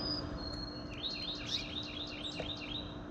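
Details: Song Sparrow song: a steady series of about eight bright, down-slurred notes, four per second, over a thin high insect whine and a low hum.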